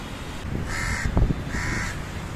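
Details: A house crow building a nest outside an apartment, later holding five eggs, gives two harsh, nasal caws about a second apart over a low rumble of wind or handling noise.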